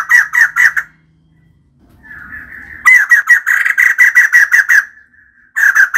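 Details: Female white-crested laughingthrush singing vigorously: bursts of rapid, harsh, chattering notes repeated several times a second, with a brief pause and a fainter rising note between the loud runs.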